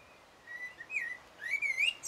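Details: Common blackbird song on 1 June 2016, filmed with a Sony HDR-PJ10E: soft, rich flute-like whistles, first a drawn-out note, then looping, rising and falling phrases ending in a sharp squeaky flourish.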